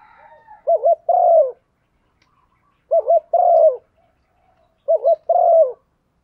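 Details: Spotted dove female cooing to stir a male: three evenly spaced low phrases, about two seconds apart, each a wobbling double hoot and then a sustained downward-curving coo, in a quiet background.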